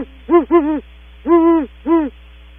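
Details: Leaving its nest cavity at Audubon Starr Ranch, a great horned owl gives four loud, rounded hoots: a quick double, a long sustained one, then a shorter final hoot, with constant low hum behind.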